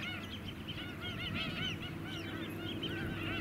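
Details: A flock of white-headed (black-winged) stilts on mudflats at Scarborough, Queensland, in July 2017 gives a dense, overlapping chorus of short, nasal yapping notes, several per second, over a low rumble with people and engine noises.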